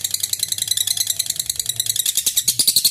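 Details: Lovebird in a long ngekek bout meant to goad rival birds into singing, a rapid, high, rattling chatter of closely packed harsh pulses, steady throughout, with a soft low hum underneath.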